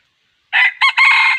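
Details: Red junglefowl crow from wild-chicken trapping: a loud harsh burst, a short second note after a brief gap, then a long rasping held note that runs to the end, against a silent background.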